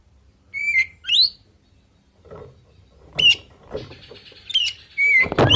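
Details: Oriental magpie-robin song delivered in full 'isian' style, meant to provoke other birds into answering: short, sharp, rising whistled notes in scattered bursts, separated by low thumps, rustling and a noisy crackling passage near the end.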